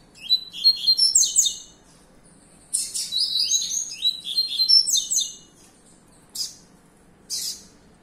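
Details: Young caged double-collared seedeater, a breeding and fibra-competition male, pours out twittering high phrases of slurred whistles and buzzes, then a longer jumbled run, followed by two short isolated chirps; quiet hum beneath.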